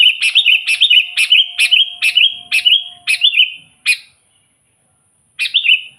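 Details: Sooty-headed bulbul in lively song, used as a lure for wild bulbuls; a fast run of about nine similar bubbly, slurred notes in quick succession, then a pause and one more phrase.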